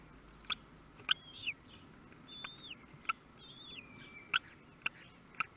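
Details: Kestrel chicks, newly hatched, fed for the first time in Théding, 23 May 2022: several high, thin whistles sliding down and levelling off, interspersed with crisp clicks roughly every half second.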